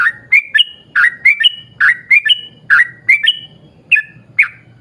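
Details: Actively singing yellow-vented bulbul giving a long rolling 'ropel' song, used as a lure so other bulbuls join in: short bubbly rising-falling whistled notes, about eight in five seconds, some paired, over a faint low hum.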